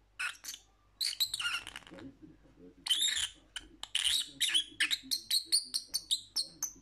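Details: Lovebird calling: bursts of shrill, high chirps and harsh squeaky notes in quick runs, with a short pause, then a steady series of sharp chirps roughly every third of a second, over a faint low hum.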